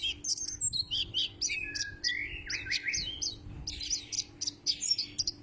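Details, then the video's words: White-eye with a white breast, likened to the Sumbawa kecial and described as loud-voiced, from Lombok, West Nusa Tenggara. It sings varied quick whistled phrases, sliding and chattering notes in short bursts with brief gaps, over a faint steady hum. "Burung Kaca Mata Dada Putih,Mirip Kecial Sumbawa"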